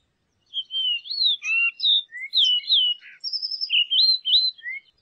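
A Variable oriole sings a rapid, varied run of clear whistled phrases, sliding up and down, with a few buzzy notes mixed in. No other sounds are heard.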